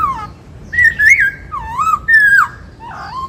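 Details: A caged white-cheeked laughingthrush sings its 'bắt cô trói cột' style song: rich, wavering whistled phrases, some rising and some dipping, in short bursts about half a second apart, over faint room noise.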